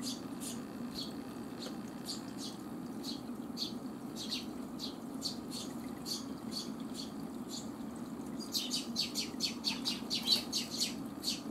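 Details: Eurasian tree sparrow during chick-rearing: thin high chirps repeated rapidly, about two per second, growing denser and louder near the end, over a steady low hum.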